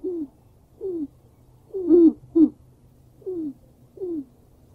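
Black grouse giving low, cooing notes that fall slightly in pitch, repeated roughly every second, with two louder, rougher notes in the middle.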